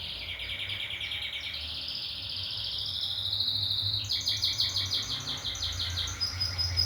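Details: Canary singing a continuous rapid trill that slowly rises in pitch, then changes to a higher series of quick, pulsed notes repeated about three times per second; faint low rumble behind.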